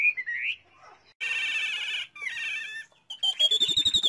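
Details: Caged Chinese hwamei kept by bird fanciers, singing a varied song: whistled phrases, a dense warbling burst, slurred notes, then a rapid rising series of clipped notes, broken by short pauses.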